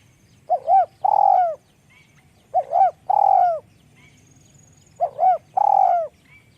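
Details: Spotted dove with a small, high voice repeating its coo phrase about every two and a half seconds, three times: a double arched note followed by a long, rough, downslurred coo.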